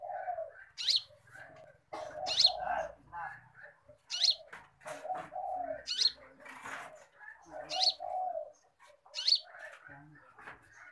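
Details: Konin song used as a training recording for cage birds, described as singing very actively: sharp rising whistles alternating with lower, warbled notes, repeated roughly every one and a half seconds.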